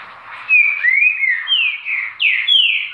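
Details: Green-winged saltator singing a clear, rich whistled phrase. Slurred notes slide downward and upward in quick succession, in two connected bursts.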